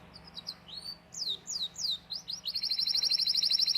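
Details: Singing canary in a tutor recording for young birds: a few high chirps and slurred descending whistles, ending in a fast, tightly packed trill at a steady rate.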